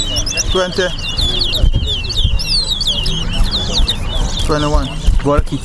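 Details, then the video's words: Singing race between towa towas at the Lamaha and Vlissengen Road bird ground, Guyana: steady stream of high looping whistles and quick chirps above a babble of nearby voices and low music. "TOWA TOWA BIRD RACE AT LAMAHA AND VLISSENGEN ROAD BIRD GROUND"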